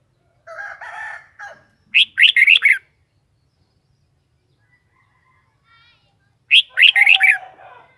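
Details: Red-whiskered bulbul, a kept bird, singing two short phrases of four to five loud whistled notes with chirpy, warbling inflections, about four seconds apart. A harsher, buzzy, crowing-like sound precedes the first phrase.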